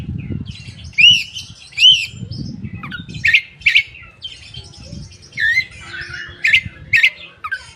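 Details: Oriental magpie-robin singing to lure and stimulate untrained birds. Paired arched whistles open the phrase, followed by sharp clipped notes and sliding warbles, over a low rumbling background.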